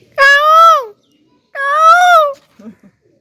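A peacock gives two loud, nasal, wailing calls, each under a second, swelling and then sliding down, about 1.5 seconds apart, followed by faint soft chatter.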